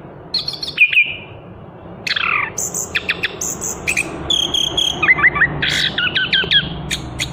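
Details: Chestnut-capped thrush in continuous song: a sliding whistle, downward sweeps, high ringing notes, then a quickening series of short chirps and twittering whistles.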